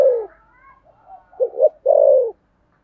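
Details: Brief spotted dove coo in the thổ sấm voice style, hurried: the tail of one falling coo, faint higher whistles, then a clear double stutter and a long descending coo.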